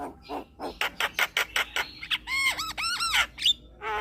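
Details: Javan myna kept as a cage bird, chatter played to rouse stressed mynas; a rhythmic run of short raspy notes, then several looping whistled upslurs and a trailing buzzy phrase.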